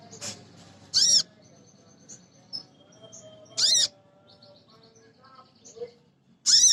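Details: Calls of a female Crimson Sunbird summoning males, used to prompt other birds to sing. Sharp, piercing high notes repeat about every two to three seconds, with faint thin twitters in the quiet gaps.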